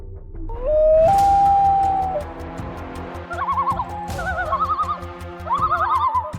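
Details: Common Loon giving its ghostly wailing cry, said to echo across dark lakes: a long, drawn-out wail rising to a held note, then wavering, quavering phrases, over steady background music.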